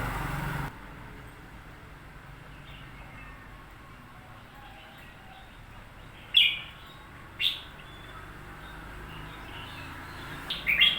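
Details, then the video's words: Newly bought red-whiskered bulbul, presumably caged, giving three short, bright, high chirping phrases, spaced about a second and then three seconds apart, over a quiet hiss after an initial burst of noise. "ฟังเสียงนกกรงหัวจุก พึ่งซื้อมาใหม่"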